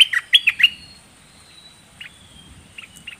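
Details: Red-whiskered bulbul singing in the dok taeng song style: a quick burst of three or four warbled, slurred notes at the start, then soft scattered chirps after a pause.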